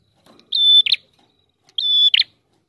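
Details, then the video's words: Prinia singing in the chattering, long-drawn 'ngalun rapat' style, used to lure birds: two phrases, each a steady high whistled note followed by a short harsh buzzy burst, about a second apart, with a silent background. "Prenjak TAMU Gacor Ngalun Rapat"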